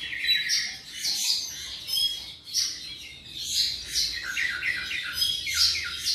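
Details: About seven months old, a tropical mockingbird sings bursts of squeaky chirps and slurred whistles, repeating short phrases in a lively, uneven rhythm.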